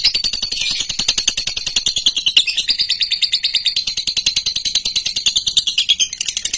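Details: Female lutino lovebird, fighter type, keeps up a long ticking trill: rapid sharp clicks run without pause, topped by a shrill buzzing band that dips and rises slightly.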